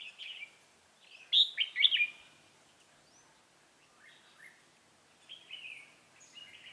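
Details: Red-whiskered bulbul acting as a trap decoy to attract rivals, dated 28 October 2018. A brief phrase, then a loud run of sharp, rolling whistles, followed by softer warbled notes.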